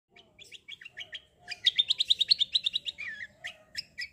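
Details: Black-winged myna singing in a fighting, rolling style: scattered sharp chirps, then a fast run of about fifteen bright, even high notes, followed by slurred whistles and more chirps.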